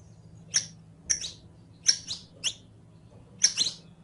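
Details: Captive saffron finch, or canario criollo, in a training recording for song learning: scattered bright chirps in pairs and singles, high and dropping in pitch, irregularly spaced over a steady low electrical hum.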